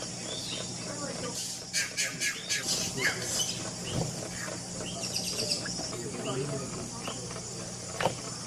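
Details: Yellow-rumped cacique, a colonial forest-canopy bird, making a lot of noise: a burst of dense, scratchy, rapid notes and clicks over about two seconds, then scattered softer chips against steady background hum.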